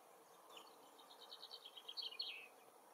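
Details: A very distant woodchat shrike sings in its forest habitat, a quiet scratchy warble of quick high chattering notes growing louder toward the end, over a faint steady hiss.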